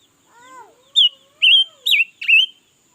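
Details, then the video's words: Red-billed leiothrix, described as singing all day, in 2021. Four loud, rich whistled notes, each bending up and down, come about every third of a second. A fainter, lower, descending whistle is heard just before them. "Suab noog nrheeb tshiab quaj lam lug le || Ngũ sắc mới hót cả ngày luôn"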